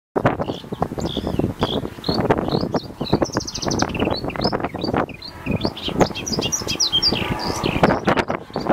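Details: Singing marsh warbler in Zuid-Kennermerland, recorded with digiscoping equipment: a fast, varied run of chattering, twittering and short whistled notes. Steady low rumble of wind or distant traffic underneath.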